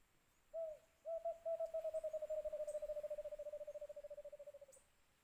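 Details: White-eared brown dove (alimokun) near a cage trap: one drawn-out hoot, then a long rapid string of about forty low hollow hoots that slowly drop in pitch and fade over four seconds.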